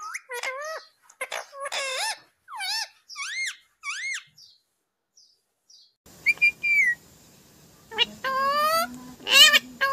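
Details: Talking parrot, said to say mummy and papa; a string of short arched chirping notes, a pause, then a steady low hum with drawn-out harmonic phrases and a shrill burst.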